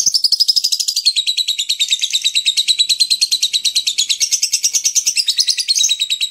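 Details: Lilian's lovebird in ngekek style: a long, unbroken, high-pitched chattering run of rapid shrill notes, about three per second, wavering gently in pitch throughout with no pauses.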